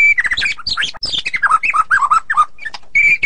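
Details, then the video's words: White-rumped shama song in ngeplong and ngeroll style, a tight, fast run of slurred whistles and rolling warbles dropping in pitch, broken by sharp clicks, then a sustained level whistle at the close. "Murai ngeplong dan ngeroll super rapet"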